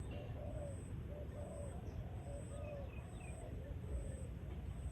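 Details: Dove calling as night approaches: soft, low hooting coos in a steady series, each a short arched note repeated about every second, over a constant low rumble of background noise.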